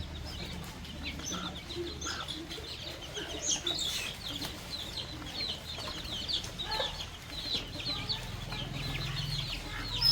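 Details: Baby chicks and young chickens feeding on termites outdoors on a farm; scattered high-pitched peeps repeat irregularly among pecking taps and rustling, with a low hum running underneath.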